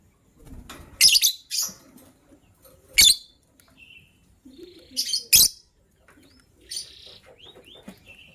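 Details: Lovebirds, gray and yellow-green, the gray ready to lay eggs, chirp in the morning: sharp scratchy high bursts every one to two seconds, mixed with thin rising whistled notes and light clicks.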